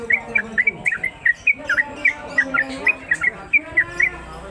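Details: Home-kept trucuk (Yellow-vented Bulbul) hung in its cage, giving 'ropelan' song: a lively series of short, sharp, slurred chirps in quick irregular succession, with faint low voices in the background.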